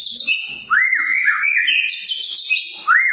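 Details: A non-stop singing white-rumped shama of the Medan type, used as a tutor recording to make other shamas sing. High twittering notes lead into a long, looping whistled phrase that rises and falls, ending in an upward slur.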